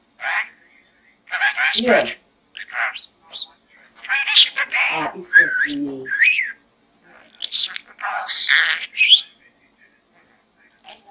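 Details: Pet budgie babbling inside a small gourd indoors, mixing squeaky talking syllables, short upslurred whistles and harsher buzzy notes in uneven bursts, then tailing off to quiet.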